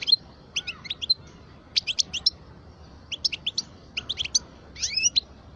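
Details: Twelve-year-old parva goldfinch giving short groups of clipped, high twittering notes separated by pauses, ending in a few slurred upward notes over a quiet background.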